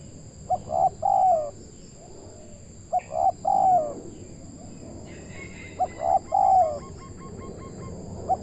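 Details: Local spotted dove in Indonesia, recorded during bird trapping, a bird with a big voice. Three coo phrases come about every 2.7 seconds, each a short note then two longer mellow coos. Another bird chirps midway over a steady high electronic whine.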